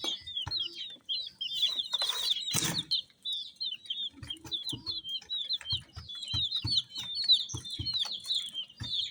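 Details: Colourful chicks cheeping in a busy chorus of high, quick, descending notes, with a sharp rustle near the start and soft dull knocks through the second half.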